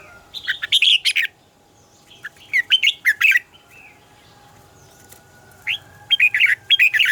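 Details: Red-whiskered bulbul giving morning song in the double-note mature wild style, used as training sound for other bulbuls: several bursts of loud, quick, chattering, warbled notes, with a pause of about two seconds between bouts.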